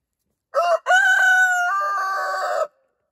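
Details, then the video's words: Rooster crowing in Ellison Bay, Wisconsin, on January 27, 2021: a short clipped opening note, then a long, loud, harmonic-rich crow held steady for about two seconds before cutting off, against a silent background. "The Rooster is Back."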